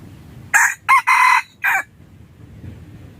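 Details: Red junglefowl crow used as a hunting decoy: four loud harsh bursts, two short notes, a longer drawn-out middle, then a short closing note, over a quiet low background hum.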